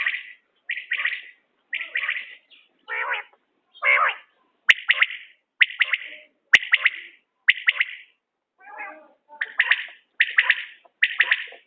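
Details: Common quail, linked to quail hunting, delivering a long run of short, bright, rapid pulsed phrases about once a second. A few rougher, lower bursts and two sharp clicks are mixed in.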